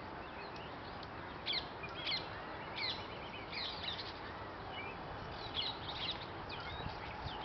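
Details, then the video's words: Purple sunbird (Cinnyris asiaticus) in Ludhiana, India, on 2 April 2024, giving sharp, high chips and short twittering phrases in scattered bursts against a steady hiss of outdoor background noise. "Calls /song of purple sunbird"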